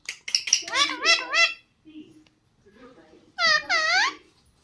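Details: Pet parrot talking indoors: harmonic, speech-like squawked syllables in bursts, with a second wavering, mimicked phrase after a short pause and faint quiet voices between.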